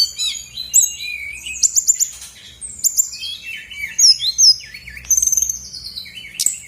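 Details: Lure recording of a brown-chested jungle flycatcher meant to provoke other birds to sing: a continuous, lively medley of high, sweet whistled notes and quick trills, varying in pitch throughout.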